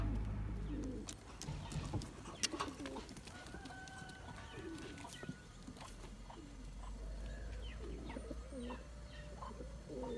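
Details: Domestic Turkish tumbler pigeons, the best birds of a kept flock, chasing their mates to breed for eggs and young; low, rolling coos rise and fall at scattered intervals among clicks, taps and rustling.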